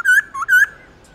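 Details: Laughingthrush song, used to stimulate pet laughingthrushes to sing and to train young birds' voices: three clear whistled notes near one pitch, the middle one lower and shorter, followed by a fading trailing tone.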